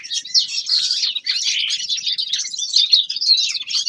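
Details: Young male common linnet, winter practice singing: a continuous stream of quick high chirps and twittered trills, loud and unbroken throughout.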